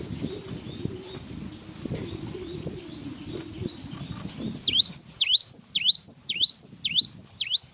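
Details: Java sparrow in long, lively song: after about five seconds of low rustling and wing-flapping noise, a fast run of sharp high V-shaped chips begins, repeated almost twice a second.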